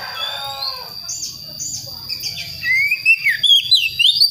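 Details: Young West Java Priangan magpie-robin practising its song: quiet murmuring notes, then a loud series of clear sliding whistles and quick upward flicks at the end.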